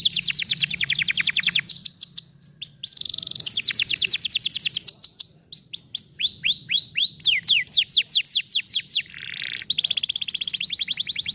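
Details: Canary singing, played to stimulate a lazy canary: long rapid rolls of repeated sweeping notes, changing tempo between phrases, with short buzzy bursts and a continuous high trill throughout.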